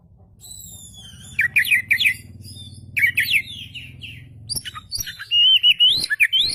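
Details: Oriental magpie-robin (kacer) singing to provoke a reply, tail spread: varied whistled phrases, quick rising trills and high thin notes, with a steady low hum underneath.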